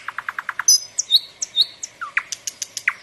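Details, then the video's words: Common nightingale song: a run of six evenly spaced low whistled notes, then high pure whistles and sharp clicking notes, ending in a burst of repeated clipped notes. "Пение соловья"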